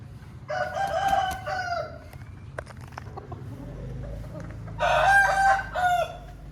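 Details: Chicken, an Aseel rooster, crowing: two loud, hoarse crows, each over a second long, a few seconds apart.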